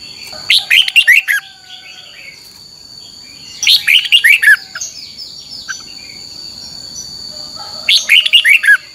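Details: Training song of a caged Red-whiskered Bulbul, played for other birds to imitate: three similar tumbling phrases of quick warbled notes, repeated roughly every three and a half seconds, with a steady high hum throughout.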